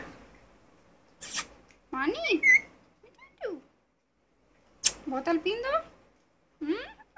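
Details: Talking Indian ringneck parakeet producing two phrases of rapid harmonic, sweeping speech-like syllables mixed with a whistled note, separated by pauses and sharp clicking sounds.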